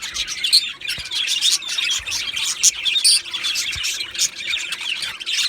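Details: Two male budgies, Australian budgerigars, keep up a lively high chatter of rapid tweets and clicks, with brief pure whistled notes standing out now and then.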